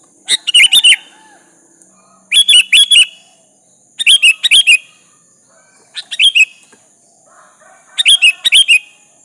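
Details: Sooty-headed bulbul repeating its rival-calling song: five phrases of four to five quick, bright, bubbly chirps, delivered about every two seconds, with a faint continuous high hiss behind.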